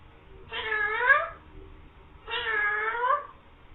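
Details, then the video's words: Green parrot talking, imitating words and a cat's meow: two drawn-out nasal, meow-like calls, each about a second long, with a rising then falling tone and a short pause between. "beautiful green parrot talking saying mian mithu meow"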